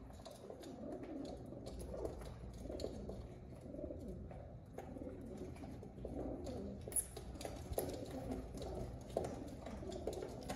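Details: Contented pigeons keep up near-continuous deep, murmuring coos that rise and fall in soft waves, with occasional faint clicks and a steady low hum beneath.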